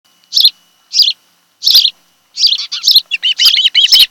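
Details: Osprey at a nest on Kent Island, Maryland, where a mated pair lives, recorded by nest camera on 26 July 2018 in the afternoon; three spaced, high whistled chirps, then a quickening run of overlapping yelping chirps.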